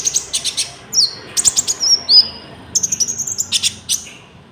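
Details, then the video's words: Common iora (konin) song with cricket-like filling, used for luring wild birds and training caged ones; clusters of quick high ticks alternating with long thin whistles and downslurred notes. "PANCINGAN GACOR BURUNG KONIN ISIAN JANGKRIK"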